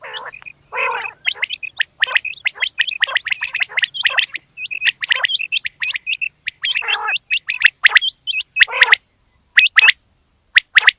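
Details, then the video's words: Female quail calling: a busy, overlapping run of short sharp chirps and upswept hooked whistles, broken by harsh raspy gargling bursts, several birds seemingly calling together, pausing briefly near the end. "Batair Ki Awaz Quail Sounds bedana ovozi Bedana makiyon bedana sayrashi bedana sayroqi"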